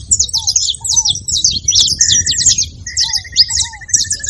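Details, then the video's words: Saffron finches making noise at a feeding spot: a dense, continuous chatter of high, sharp chirps and short trills, with soft lower slurred whistles repeating beneath and a faint buzzy series near the middle and end. "canário da terra fazendo barulho na seva"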